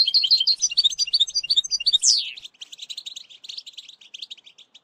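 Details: A European goldfinch song for training a young bird, quick tinkling twitters leading into a sharp descending slur, followed by a softer, scratchy continuous chatter.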